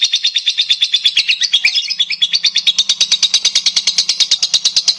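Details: A lovebird's fast chattering song, played to get other lovebirds singing, made of dense buzzy notes in a quick regular stream, with a faint low hum beneath.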